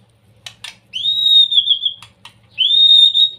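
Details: Young white-rumped shama giving a provoking song used to make other shamas sing: a sustained high whistle with a warbling middle, brief clicks, then a second long whistle begins.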